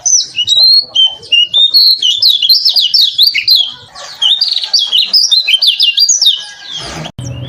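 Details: Lemon-bellied white-eye training recording with a varied song, including sounds beyond its natural voice: a dense run of high, quick, warbling whistled notes with rapid slurs, ending in a brief noisy burst.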